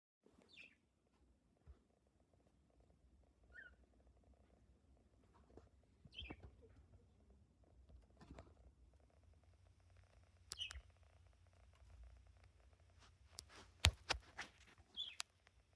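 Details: Pet budgerigar at a new hiding spot gives scattered short, high chirps between quiet gaps, with soft rustling and handling noises.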